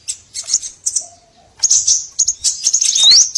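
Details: Small birds from a lure recording for trapping small birds: scattered high chirps, then a burst of dense twittering with a sharp rising whistle near the end.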